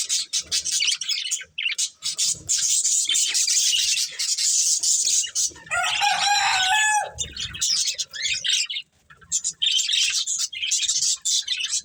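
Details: Pair of breeding budgies warbling steadily in high, fizzy chatter, interrupted midway by a louder, ringing, wavering call lasting about a second, then a short silence before the chattering resumes.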